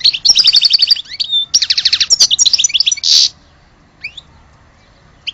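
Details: European goldfinch from Algeria singing rapid repeated chattering trills and twitters, a short rasping burst, then a few isolated chirps.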